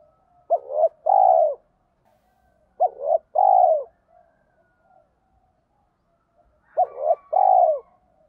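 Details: Spotted dove cooing in the thổ pha đồng style to stir wild doves into answering: three phrases, each a quick double note and then a long, sustained, slightly falling coo, separated by quiet gaps with faint low murmurs.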